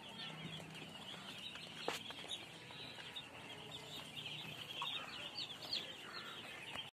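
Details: Young chicks peeping softly, a quieter chorus of high cheeps running throughout, with a brief sharp knock near two seconds and a low hum in the background.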